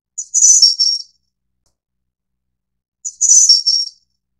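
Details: Snowy-browed flycatcher, subspecies innexa from Taiwan, delivering two high, sibilant, trilling phrases about three seconds apart, each under a second long with a short introductory note, in an otherwise silent background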